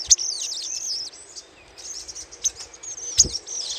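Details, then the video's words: Little spiderhunter chattering, used as a lure. An opening flurry of fast, high, descending twittering notes is followed by softer scratchy chatter and a few sharp chips. "PANCINGAN SUARA CRECETAN SOGOK ONTONG"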